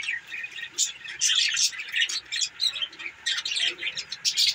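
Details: Group of budgerigars chattering on 18 December 2023, with a dense, continuous stream of high, scratchy chirps and warbles overlapping, with no pauses.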